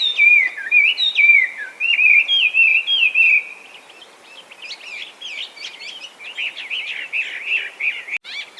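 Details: Chinese hwamei, an invasive species in Japan gone wild from escaped cage birds, sings loudly: looping whistled phrases sliding up and down, then a quieter run of rapid varied notes, possibly mimicry.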